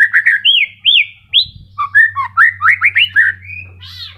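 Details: White-rumped shama, moulting but still in voice: a lively string of looping whistled notes, rising and falling, about two per second, ending in a buzzy trill, with a low background hum.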